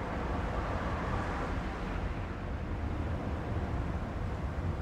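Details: Broad, rushing wind-like noise throughout, without any animal sound.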